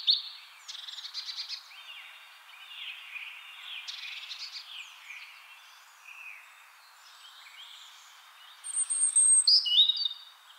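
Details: Spring song of a European robin: varied warbling of high whistles, quick trills and short sliding notes, quieter passages between, closing with a loud burst of very high, rapid, sharp notes.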